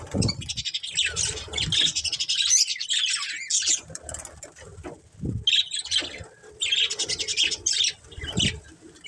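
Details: Colourful budgies kept as a family group chirping; repeated spells of high rapid chattering warble separated by brief lulls, with soft thumps and fluttering underneath.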